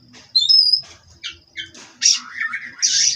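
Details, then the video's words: Caged Oriental magpie-robin, Cirebon-line bird, giving a sharp whistle, short chirps, then loud harsh buzzy notes and a falling warble, over a faint constant high tone. "Terapi Burung Kacer Agar Stabil di Pedok"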